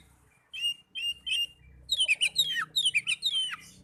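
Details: Oriental magpie-robin song meant to get caged birds singing: three soft whistled phrases, then a faster run of downward-slurred chirps repeated twice, over a low background hum.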